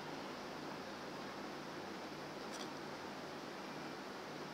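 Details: Even indoor hiss throughout, broken once by a brief sharp click, with no animal calls.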